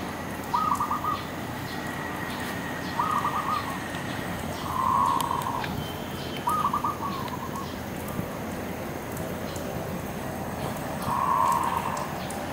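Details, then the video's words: A dove sitting on a tree coos repeatedly, short mid-pitched hooting phrases about every two seconds for twelve seconds, a faint higher whistle from another bird briefly behind, and steady background hum. "Dove Sound On The Tree"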